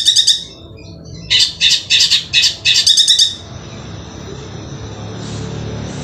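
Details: Short burst of tembakan kuntilanak song from a Madura long-tailed shrike: a few harsh notes, silence, then six or seven rapid grating pulses before the bird falls quiet over low background noise.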